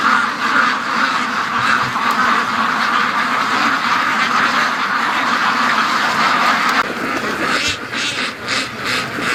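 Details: Agitated morning flock of free-range domestic ducks, upset after a dead drake turned up at the gate. Rapid, overlapping quacks form a dense racket, about two per second, easing briefly near the end before harsh bursts resume.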